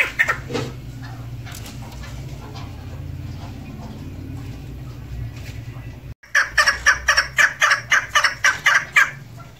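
A female chukar partridge gives a fast run of about a dozen harsh, clucking chuck notes, roughly three per second, after several seconds of low background hum.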